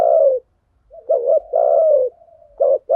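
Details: Spotted dove calling in a mixed-sex lure recording of thuc gu and gay goi types: a long falling coo, a clipped double note, another drawn-out coo, a soft murmur and a short note.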